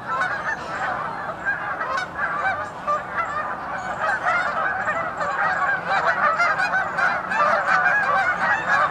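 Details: Many geese calling at once, with rapid overlapping honks forming a steady chorus that swells louder toward the end.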